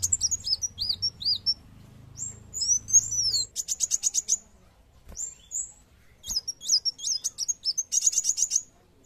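Sunbird song of thin, very high whistled notes, some rising and some falling, broken by quick buzzy trills. A faint low hum runs underneath at the start.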